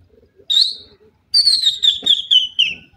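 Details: Partridge pair, named as dakhni titer and irani teetar, uttering a short high whistle followed by a long slightly falling series of rapid chattering whistled notes.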